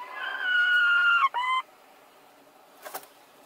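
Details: Two hens competing to lay an egg in the same place at the same time: one long, drawn-out, steady nasal note that breaks off, followed by a shorter similar note, over constant background hiss.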